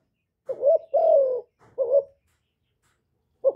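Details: Spotted dove call, meant to stimulate kept birds, recorded without background noise: one short coo and a long falling note, then another brief coo pair and a single clipped note after a pause.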